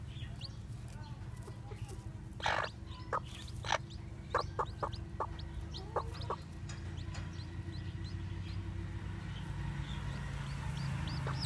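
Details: Newly hatched white black-tailed Japanese bantam chicks walking about, giving scattered short clucking pulses and a few faint high peeps, spaced irregularly, over a continuous low rumbling hum.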